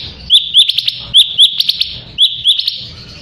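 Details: Sooty-headed bulbul song meant to make rival birds join in singing: loud, sharp chirp notes in short clusters of three to five, separated by brief pauses, over a quiet low hum.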